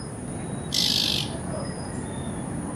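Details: Naked-faced spiderhunter giving a single harsh, buzzy, high-pitched call lasting about half a second, loud against a quiet background with a faint steady high whine and low rumble.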